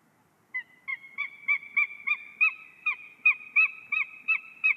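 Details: White-tailed eagles mating at a nest in Ķemeri National Park, Latvia: a series of high, sharp yelping notes repeated about three times per second, steady and rhythmic, with little background noise.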